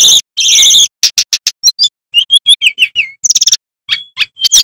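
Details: Loud male bamboo flycatcher song: harsh trilled bursts give way to rapid ticks, falling whistled slurs and short piping notes.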